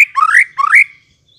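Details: White-rumped shama sound used to provoke a response: two harsh, buzzy notes, each rising steadily in pitch, about half a second apart.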